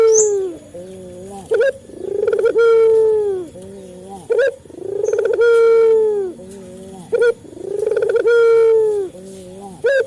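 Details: Male local Barbary dove, a training lure for caged doves, cooing steadily: four regular phrases, each a clipped high note followed by a broad swelling coo and a low murmured tail, about every two and a half seconds.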